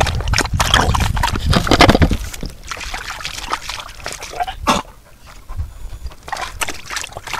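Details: Eurasian magpie giving a harsh, rattling chatter of rapid broadband clicks, dense and loud for the first two seconds, then thinning into scattered single rasps and short bursts.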